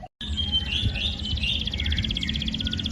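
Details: Young canary song for training: a thin high trill of rapid repeated notes with a few short whistled slurs, over a steady low hum.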